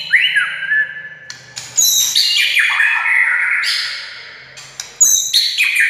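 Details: White-rumped shama song aimed at getting a silent shama to sing back: a sweet falling whistle, then tumbling warbled phrases with sudden high piercing notes.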